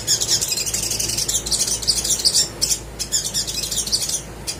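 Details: Little spiderhunter in energetic full song, played as a lure to get lazy birds to sing: dense, high, sharp chirps and twittering run almost without pause, with a few brief gaps near the end.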